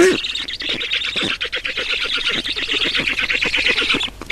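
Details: Black storks at a nest in Estonia during a feeding on 11 June 2019 at 14:43: a rapid, continuous stream of rasping squawky notes, several per second, hold steady for four seconds, then stop abruptly.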